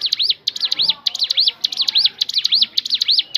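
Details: Ciblek gunung, the crescent-chested babbler, singing naturally as a lure for other birds: fast chain of high arched, swooping whistles, repeated almost twice a second over a quiet background.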